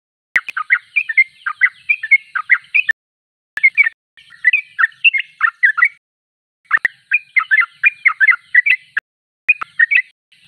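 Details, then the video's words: Sooty-headed bulbul in vigorous song: several long bursts of fast, bubbly chirping notes separated by short pauses, with occasional sharp clicks between phrases. "Trucuk termewah suaranya paling di cari"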